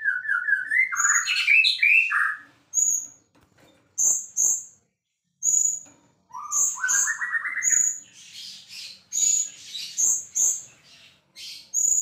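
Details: Champion white-rumped shama in vigorous song: rapid rising whistled trills, many short piercing high notes repeated in quick succession, and scratchy chatter, with brief gaps between bursts.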